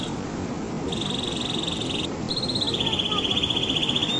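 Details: Canary singing: after about a second of hiss, fast buzzy trills of repeated high notes start, then a quicker rolling trill that steps slightly lower, over a steady broadband hiss.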